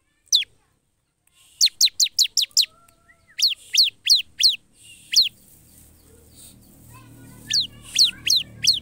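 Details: High, steeply descending chirps of a singing bar-winged prinia, in runs of five and four notes with pauses, over a low, steady background rumble that grows later.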